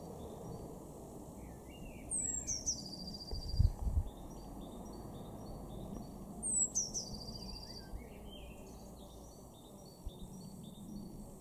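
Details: Eurasian blue tit in a garden in Weener, East Frisia, far northwestern Germany, in March 2024, giving two thin, high, descending calls that trail into a short trill, several seconds apart, over a steady low rumble of background noise.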